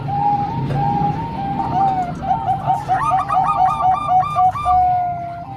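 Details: Combined singing of three Bangkok zebra doves and one local zebra dove: a run of soft, even coos gives way to quick, stacked, bubbling notes from overlapping birds, with a low rumble beneath.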